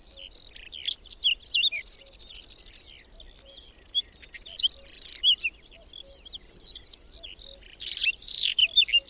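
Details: Whinchat singing during a sudden May snowstorm with strengthening wind and sharp cold, on the outskirts of Domzherytsy village in Berezinsky Biosphere Reserve: short scratchy high phrases of chirps and twittered notes in irregular bursts, with brief pauses between them.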